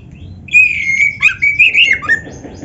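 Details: Singing Oriental magpie-robin (kacer) in a 'gacor' master recording full of 'isian' phrases for training other birds: a long sustained, wavering whistled phrase that breaks into several quick, sliding notes.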